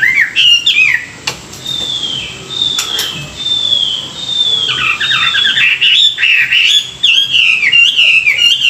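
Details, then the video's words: Morning song of a Chinese hwamei, used for voice training and to rouse wild-caught birds: a few sharp notes, then a long steady high whistle with faint clicks, breaking into quick, looping, rich slurred phrases repeated in bursts. "luyện giọng họa mi họa mi hót buổi sáng, kích bổi quá đỉnh"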